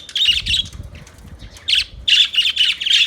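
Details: Budgies chattering in bursts of buzzy, grating chirps, a quiet pause of soft murmuring in the middle, then louder rapid warbling squawks resuming toward the end.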